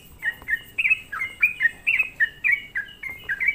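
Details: Sooty-headed bulbul lure song: lively liquid notes sliding downward, roughly three per second, over a faint background hiss, used to provoke other bulbuls.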